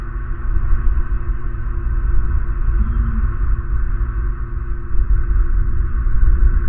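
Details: Deep, muffled droning hum with fluctuating rumble throughout, with no animal calls.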